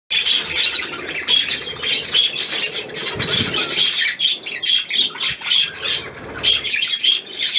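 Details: Several budgerigars, kept birds, chattering continuously in dense overlapping warbles and squawks, with busy rapid notes throughout and occasional softer low rustling beneath.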